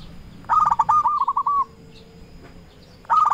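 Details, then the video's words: Local zebra dove, a lure bird calling to rivals: a stuttered burst of short pulsed notes running into a steady mellow coo, about one and a half seconds long, with a second phrase starting as the clip ends. "Perkutut lokal gacor RAJA PIKAT memanggil lawan sekali dengar bikin semua perkutut nyaut"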